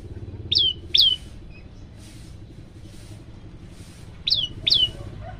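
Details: Prenjak lumut, hungry and singing actively, gives two pairs of bright, high down-slurred notes separated by a quiet gap of about three seconds, with soft hiss and low rumble in between.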